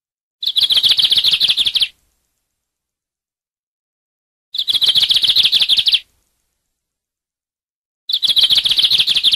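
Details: Lined seedeater singing three separate bursts of rapid, repeated buzzy chirps, each phrase about one and a half seconds long and spaced roughly three seconds apart, clean recording without background noise.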